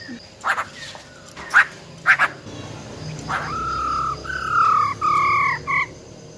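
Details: Female silver-eared laughingthrush with wild-type song, said to excite males fast: a few sharp clicks first, then a run of four clear whistled notes, the later ones stronger with overtones.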